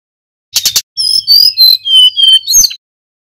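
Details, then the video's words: Full song of a local Tledekan gunung (hill blue flycatcher), used to stir other birds into singing. A brief scratchy burst leads into clear, high whistled notes held and sliding in pitch, ending with a short harsh chatter. "SUARA TLEDEKAN GUNUNG FULL GACOR"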